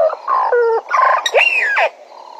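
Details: Close, loud calls of a Bennett's woodpecker at Djuma: stacked nasal notes stepping downward, a buzzy chatter, then a long rising-and-falling squealing note, all within about two seconds.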